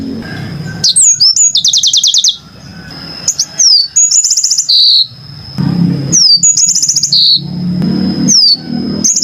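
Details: Yellow-fronted canary song presented as a super clear master recording: bright high trills and rapid ticking bursts, downward-sweeping whistles and short buzzy notes in repeated phrases, over a steady thin high tone and a low background murmur.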